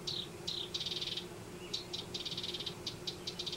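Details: A house wren nesting in a yard in Denver gives rapid, high, buzzy trilled bursts in quick succession, rattling and bubbly, over a faint low steady hum.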